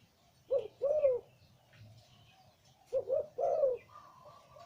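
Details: Liw Tan style song from a deep-voiced breeding male zebra dove: two paired bursts of rolling, bubbling coos separated by a short gap, with a soft continuous whistle from another bird at the end.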